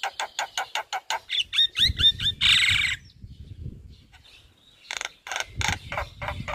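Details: Javan myna in full song by day in front of a house, delivering a fast series of sharp repeated notes, short whistled phrases and a harsh rasping burst, then a pause and more loud chattering notes.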